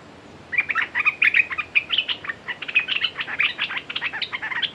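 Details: Red-whiskered bulbul calling as a decoy against a territorial wild bird: a fast, continuous chatter of short bright notes, some rising and some falling, that runs for about four seconds.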